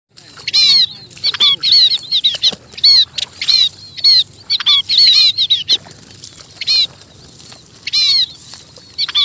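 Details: Munia calling its flock: bursts of short, thin, high chirps with a bright ringing tone, delivered in quick clusters of two to five notes with brief pauses between, continuing throughout.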